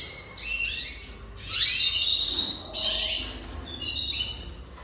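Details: Jaspe canary singing high twittering phrases with a sharp slurred note, then quieter chirps and short trills.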